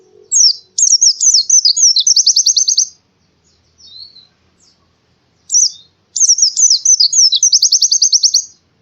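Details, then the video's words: Oriental white-eye morning song in two long phrases, each of high jumpy twitters speeding into a fast repeated trill, separated by a quiet pause. "suara burung pleci di pagi hari"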